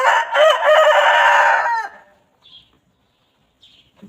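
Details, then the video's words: A rooster among free-ranging chickens that roam and peck on a quiet countryside farm crows once, loud and harsh, for nearly two seconds. Silence follows, broken by faint high chirps of small birds. "Chickens Pecking and Clucking"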